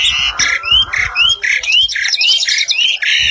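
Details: Asian pied starling pair singing: a steady alternation of harsh squawked notes and clean upslurred whistles, about two per second, repeated in a regular cycle.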